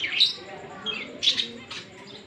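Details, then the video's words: Fischer's lovebirds, a green pet pair, giving a few short shrill squeaks and chirps in separate bursts, with quiet pauses between them. "Lovebird Singing & Chirping Sounds- Green Fischer Pair"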